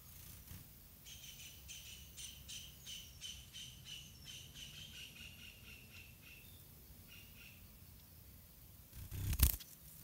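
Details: White-rumped munia chicks in a garden nest being fed by their parents: a quick run of thin, high chirps repeated several times a second for about six seconds, then quiet and a sudden loud knock near the end.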